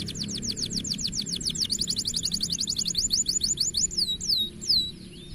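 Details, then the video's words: Steady young canary trill of quick repeated downslurred notes, ending in a few slower swooping whistles, over a low humming background. "Bikin Kenari Paud Gacor Dan Rajin Bunyi"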